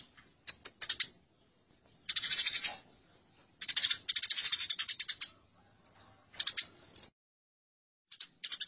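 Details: Fighting Eurasian tree sparrows making rough, buzzing chatter in irregular bursts, mixed with sharp clicks and isolated chirps between the runs.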